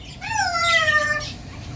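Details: A pet yellow-naped amazon, singing parts of songs such as Twinkle Twinkle Little Star and You Are My Sunshine, sings one drawn-out, voice-like note that slides gently downward for about a second, rich in overtones, over faint room noise.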